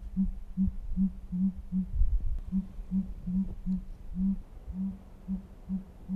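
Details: Sooty Grouse, a Mount Rainier bird, giving a pretty low call of deep, soft hoots, about two or three a second with brief pauses, over a low indoor rumble.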